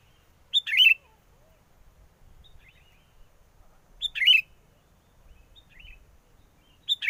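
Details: Sooty-headed bulbul song used as a lure for trapping birds, recorded in strong wind: short bubbly, warbling phrases spaced roughly three seconds apart, with faint softer notes between them.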